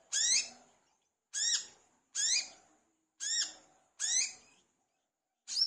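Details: Olive-backed sunbird, called wiceh or manggar locally, in energetic song used to prompt other birds to sing. Strong, high, downslurred notes repeated about once a second in a steady series.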